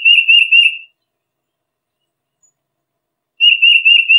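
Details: Tufted titmouse sounding a fast, warbling series of whistled notes that breaks off, then comes back after about two and a half seconds of silence.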